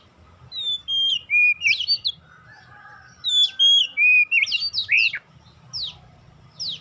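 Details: Oriental magpie-robin song played as a lure to get untrained magpie-robins singing quickly: two loud bursts of clear whistled phrases, sliding and dropping notes mixed with sharp chirps, separated by a short pause.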